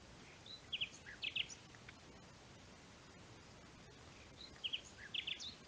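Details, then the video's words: Common nightingale singing in the pine woods of the Rodeno protected landscape, Sierra de Albarracín, Teruel: two short, bright phrases of quick rapped and whistled notes about four seconds apart over steady hiss. "Canto del Ruiseñor"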